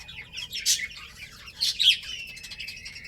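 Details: Chicken chicks at play give thin, high peeping chirps, some sliding downward in pitch. Two louder bursts come near the start and middle, and fainter chirps trail off toward the end.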